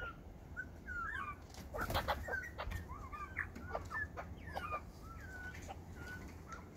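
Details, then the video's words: Several hungry butcherbirds begging with scattered short whistled and scratchy notes, some rising in pitch, broken by a few loud rustling thumps near the start, over a low hum. "Hungry Butcher birds"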